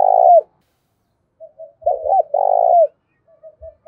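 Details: Spotted dove giving a lure and fighting call in the 'thổ pha' style. It opens with a loud, low cooing phrase, then soft scattered notes, a pair of hooked coos and a long, rolling, purring coo, with faint low thumps.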